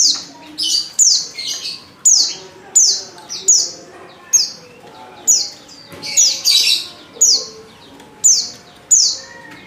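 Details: Female Oriental white-eye call used to lure males into singing: high, thin descending chirps repeated roughly every half second to second, some overlapping bursts, faint low murmur beneath.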